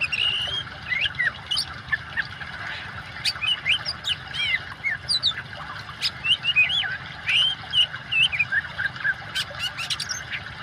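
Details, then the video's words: Oriental magpie-robin in full song mixed with running water, intended to restart singing in quiet birds; varied whistles, quick up-slurred notes and chirps in clustered bursts with brief silences, over a steady watery hiss. "kacer gacor kombinasi suara air cocok buat terapi burung macet"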